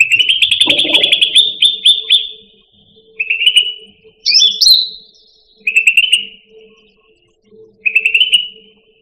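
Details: Pet Indonesian grassbird (cucak rante), a training recording for songbirds: long rapid rattling trills alternate with shorter buzzy phrases and one rising whistled note, over a faint steady low hum.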